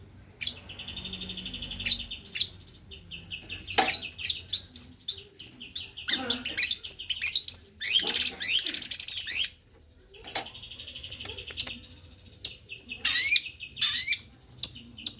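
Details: Fast, densely packed song of a male white-rumped shama. Sustained whistled tones mix with rapid clicks, buzzy trills and sharp chips, with a brief pause near the middle, over low steady background noise.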